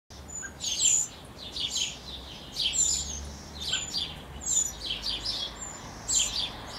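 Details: Eurasian wren chicks, a few hours before leaving the nest, during the adults' last feedings: high, thin, hissing and trilling begging bursts about every second or two, with faint low background rumble.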